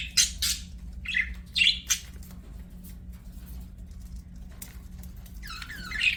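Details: A pet budgerigar gives a few separate short squeaky chirps and scratchy warbled bursts with quiet gaps between them, then one last rising chirp at the end, over a faint low background hum.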